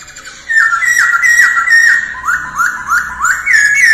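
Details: A masked laughingthrush practising its song early in the morning, giving a rapid run of clear downward-slurred whistles, about three each second, that step lower midway and then rise again.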